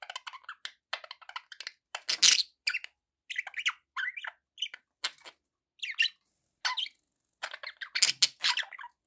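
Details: Pet budgies calling in a run of quick chirps, squawky buzzes and warbled notes, in short separated bursts with a louder harsh squawk near the start and end.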